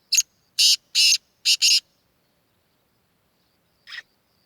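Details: A Sindhi black francolin: a loud, harsh phrase of five rasping notes, two short and three longer, with the last two run together, followed by silence and one fainter rasp.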